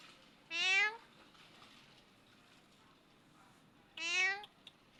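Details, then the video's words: Clever parrot calling the cat by imitating its sound: two similar meow-like calls roughly three and a half seconds apart, slightly falling in pitch, with a faint click after the second. "Parrot speak, Clever Parrot making sound the cat"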